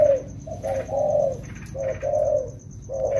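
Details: Two wild-caught spotted doves, trained in the rainy season, uttering a quick clipped coo then a longer smooth coo, repeated twice, with a continuous faint high whine.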